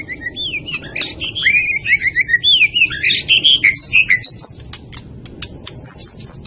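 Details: Murai batu, the white-rumped shama, from Medan, delivering a fast, rich phrase of looping whistles and quick chirps that shifts to higher, thinner notes near the end, with faint low background rumble.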